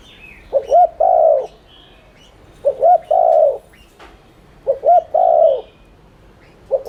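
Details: Spotted dove giving steady, fast 'thúc' cooing meant to stimulate other doves: phrases about every two seconds of a stuttered doubled note then a long, soft, slightly falling coo, with faint distant chirps.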